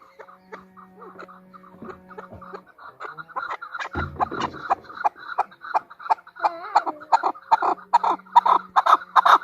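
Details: Female chukar partridge: faint, sparse clucks with a low hum and a short thud at first, then a swelling, increasingly loud and rapid series of harsh chuck notes.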